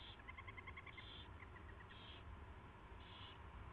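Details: Owls at the nest, 4:21 AM on 24 February 2016, during mouse delivery and feeding; a burst of fast twittering notes followed by three short raspy hisses about a second apart, over a low hum.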